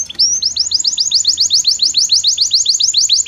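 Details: Belgian canary singing as a training model for non-singing canaries: a short introductory note, then a fast, even roll of repeated sweeping notes, about seven per second, loud and clear.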